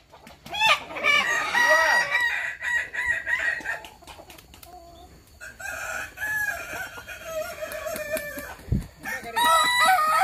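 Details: Kukuak Balenggek rooster at a practice crowing contest in Sawah Lunto, giving a long, multi-note crow of rising and falling harmonic syllables, with background music and crowd noise.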